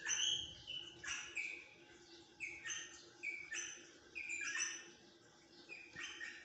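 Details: Rosella uttering bright, piping whistles and short upward-sliding chirps in loose bursts, pausing briefly between groups, with constant faint hum behind.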